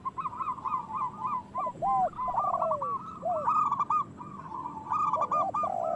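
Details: Local zebra doves singing loudly as a lure to get other doves singing: dense overlapping rapid cooing trills over lower, soft, downward-sliding coos, almost without a break.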